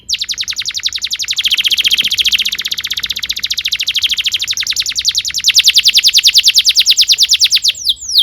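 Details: Young canaries are meant to learn from this canary song: a sustained, very rapid high roll of buzzy pulses, swelling louder toward the end before a brief sliding note.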